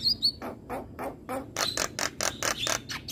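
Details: Javan myna morning song made of repeated rough, buzzy notes growing louder and denser, with thin whistled slurs at the start and end.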